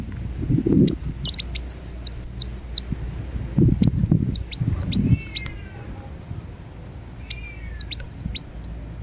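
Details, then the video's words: Ruby-cheeked sunbird (kolibri wulung), Indonesia, singing as a lure and therapy song: bursts of very high, thin, rapidly repeated wavy notes in three phrases, with faint lower sweeping notes and some low thumps between. "Kolibri Wulung Gacor Dorr Bocor Corr || Pancingan dan Terapi Bunyi Andalan"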